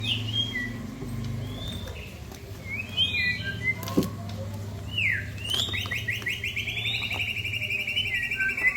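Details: White-rumped shamas trading showy mimicked song material; scattered whistled notes, then a sweeping slur and a long fast buzzy trill over a steady low hum and background noise.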